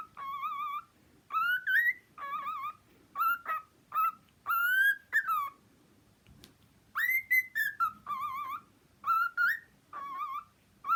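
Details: Pet cockatiel whistling a series of short, harmonically rich notes and rising slurred phrases in bursts separated by brief pauses, some notes wavering or trilled, with a quiet indoor background.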